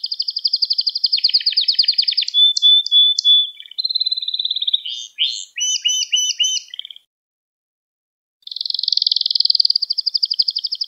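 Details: Gloster canary song for stirring up other canaries: long even rattling trills, whistled notes and clipped chirps, a short pause, then a renewed steady trill.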